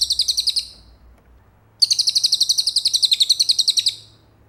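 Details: High, fast cililin trill for training a champion white-rumped shama, a short run, a one-second pause, then a longer sequence of bright repeated notes that fades at the end.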